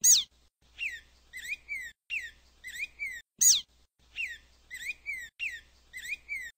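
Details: Black-throated grosbeak giving a loud, sharp, descending note, then a run of short whistled notes that rise and fall. The pattern repeats about every 3.5 seconds.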